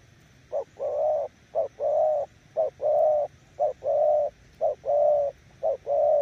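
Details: Spotted dove, a decoy bird, cooing steadily: a short low note then a longer, slightly falling coo. The pair repeats about once a second, even and unhurried.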